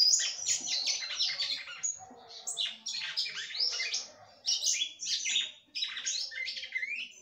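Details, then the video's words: Female red-cowled cardinal singing a great deal to excite the male: dense bursts of bright chirped and warbled notes, several falling sweeps, in short phrases separated by brief dips, with no other sounds. "FÊMEA DE GALO DE CAMPINA CANTANDO MUITO PRA FOGUEAR SEU CAMPINA."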